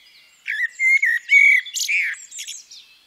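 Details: A female common blackbird delivers a short sequence of clear, level, fluted whistles that end in a higher scratchy flourish, all within about two seconds.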